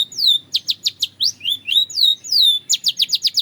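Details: Belgian canary in full song, alternating sharp downward chirps with longer curving whistled slurs, ending in a rapid string of six quick clipped notes. Clear and loud against a quiet background.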